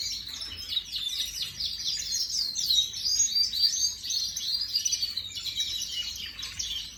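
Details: Imported canary in full song, recorded 18 May 2025: dense, fast twittering trills and short sweeping whistles, delivered without pause and shifting between rolls and chirps over seven seconds.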